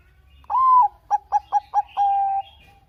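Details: Singing Bangkok-type zebra dove, recorded as a lure: a long steady coo, then four quick clipped notes in a row, ending with another sustained coo. Quiet, clean background.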